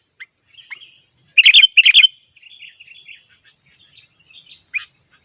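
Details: Free-living sooty-headed bulbul calling out rivals beside a simple trap, other birds flocking in: two short, bright clusters of bubbly whistled notes, then a thin, faint trail of soft chatter and a lone note.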